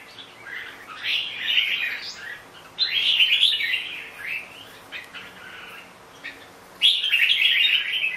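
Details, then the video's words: Long, rich warbling phrases from a red-whiskered bulbul, three main bursts of tumbling whistled notes separated by short pauses, with a faint hum behind. "Chào mào bông"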